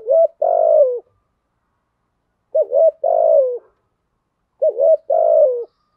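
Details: Spotted dove giving 'giọng thổ' lure cooing to attract wild doves; three phrases about two seconds apart, each a quick double coo followed by a long, buzzy, gently falling coo.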